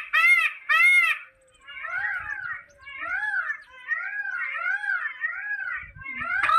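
Indian peafowl: two loud, harsh, nasal wails, then a quick run of softer arched honks repeated about twice a second. Nothing else is heard.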